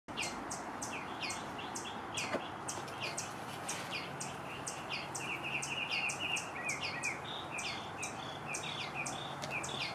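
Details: Hand-fed Western bluebird: a steady stream of short, high chirps several times a second, with a brief warbled run in the middle, over a constant background hiss.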